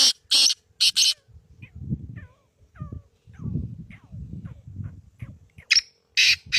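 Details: Black francolin calling, with three grating, buzzy bursts at the start and another loud harsh pair near the end, separated by faint chirps and low rumbling noise.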